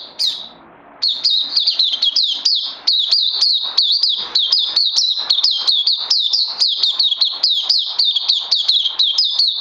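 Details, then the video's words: Oriental white-eye (puteh), a bird given combined health supplements, second day, 31 May 2020: a brief high note, a second of quiet, then a long, energetic stream of quick, looping chirps repeated several times per second. "Puteh Crazy LG"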